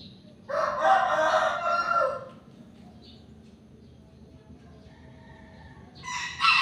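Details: Morning backyard chicken: one full crow of about two seconds, rich and strained, with a wavering middle, then quiet ambient noise before another loud, harsh burst begins near the end.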